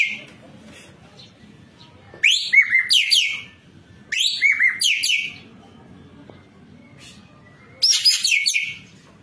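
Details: Ekek keling, the white-breasted kingfisher, singing vigorously in a recording made to train caged birds: three spaced bursts of harsh, chattering notes with rising sweeps and slurred whistles, separated by long quiet gaps with faint low background hum.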